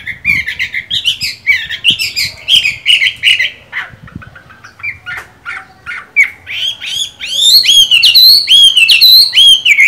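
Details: Chinese hwamei singing during its moult, caged: rich varied whistled phrases, a quieter spell of short notes, then loud repeated arching whistles rising and falling in a steady series.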